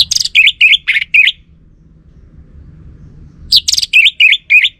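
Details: Orange-headed thrush song used as a lure to draw a male's answer: two bursts of quick, sweet, wavering whistled notes, about six per burst, separated by a short pause, with a soft background hum.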